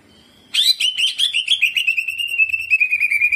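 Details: Cucak ijo bursting into rolling jamtrok song with ciblek-style filler: after a thin held note, a sudden torrent of fast, buzzy, trilled whistles that slowly drops in pitch.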